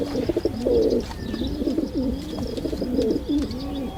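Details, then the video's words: Several pigeons coo together: deep, wavering burbles repeated in short bursts, with a few brief higher chirps above the steady murmuring. "Pigeon sound Effect"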